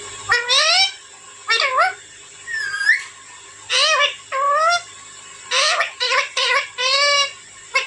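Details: Young Alexandrine parrot's natural calls: a series of nasal, harmonic-rich squawks, some rising, some dipping and curving, in bursts of one to three with short pauses, over a steady faint high-pitched hum indoors.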